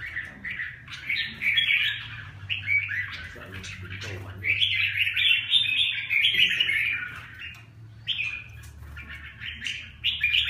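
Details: Red-whiskered bulbul, Huế type, pouring out rapid chattering song in bursts of varied twittering notes, about four per second, with short gaps between runs; low steady hum in the background.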